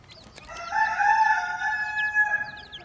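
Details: On a farm with a hen and her chicks, a clear, sustained chicken crow lasting about two seconds, steady and loud, with a couple of sharp knocks before it and faint chick peeps near the end.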